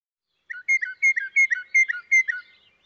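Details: Northern Mockingbird singing a variety of other birds' songs, mixing imitations with its own phrases: a clean series of about six paired whistled notes, a high clear slur followed by a lower drop, repeated roughly every third of a second.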